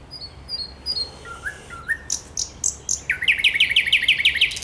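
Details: Thrush nightingale song, recorded 10 May 2021: thin high whistles and low fluty slurs, then a fast, loud run of repeated rattling notes, about eight in a second and a half.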